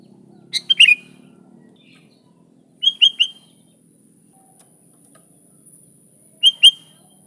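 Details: Sooty-headed bulbul, original sound played to draw bulbuls in: three spaced clusters of two or three crisp, bright chirps, with long quiet gaps between.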